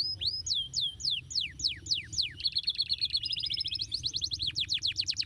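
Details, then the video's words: {'caption': 'Canary song used to coax another canary into answering: spaced, slurred descending whistles give way to a rapid buzzy trill and a quick run of sharp repeated notes.'} "kenari ngetem langsung nyautt dan kembali gacor lagi dengar kenari ini"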